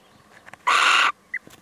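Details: Male little owl visiting: one loud, rasping screech of under half a second, then a brief clear note, with faint taps around it.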